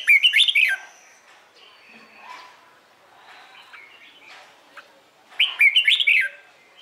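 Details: Red-whiskered bulbul singing in the morning in competition style to train other birds: two rich warbled phrases of quick, twisting whistles about five seconds apart, with faint softer notes in between.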